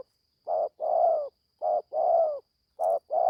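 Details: On its first training outing in the forest, a newly calling young spotted dove repeats low two-part coos, a short note and a longer humming note, a little over a second apart, faint high tone behind.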